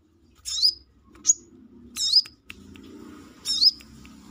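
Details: Outside its cage, a brown-throated sunbird (kolibri kelapa) gives loud, high, twisting chirps about once a second, with a low murmur of background noise beneath.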